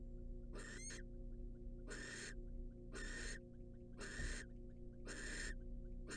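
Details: Wild barn owl female in a nest box receiving a rat from the male, giving five loud rasping hisses roughly a second apart, the first with a brief squeaky upward sweep, over strong low hum.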